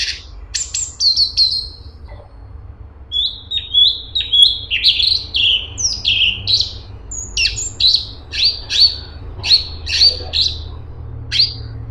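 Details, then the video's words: Cungkok singing continuously and densely: a few high notes, then a long series of short whistled slurs and sharp chips repeated roughly twice a second. "CUNGKOK ISTIMEWA !! Cungkok super gacor besetan rapet"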